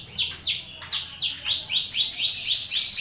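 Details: Starling song used as a master recording for training other birds: a rapid series of buzzy, downward-sweeping notes, roughly four per second, growing denser toward the end.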